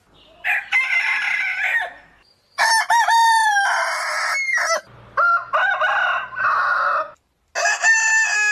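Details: Roosters of differing breeds crowing in a spliced sequence: loud, rich harmonic crows with falling endings, separated by brief silent gaps, with a low hum under one segment.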